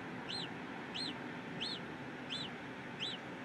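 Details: Peregrine falcon in the Belgian capital, Brussels, recorded 8 April 2016 at half past three: five clear, arched, high-pitched notes repeated at an even pace, over a background of city noise.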